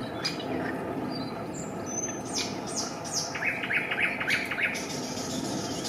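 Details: Coots with chicks at a family nest, Raszyn ponds, Poland, 4 May 2024; scattered high chirps and a thin whistle from other birds, then a brisk series of five or six short, peaked notes near the end.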